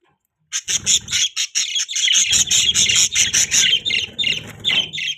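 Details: Budgerigars chirping, a dense run of short harsh high chirps and squawky notes, closely packed and overlapping, with some low rumbling noise beneath from about two seconds on.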